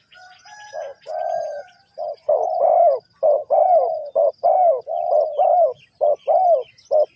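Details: Spotted dove in a trapping setting in Ninh Thuận, Vietnam, giving a run of loud, low cooing. Brief notes alternate with longer falling coos in a quick rhythm. Higher twittering from other birds is heard at the start and faintly throughout.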